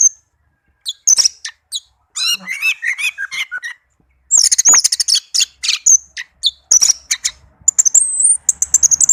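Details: Orange-headed thrush (anis merah), a tame kept bird, in loud varied song: rapid runs of high piercing chirps, some lower warbled phrases, and dense twittering near the end, with brief pauses between bursts.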